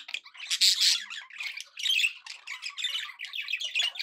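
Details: Happy budgies kept as pets, chattering: loud harsh squawks early on, then busy rasping warbles and clicky chirps in short bursts roughly every half second, several birds overlapping in a quiet room.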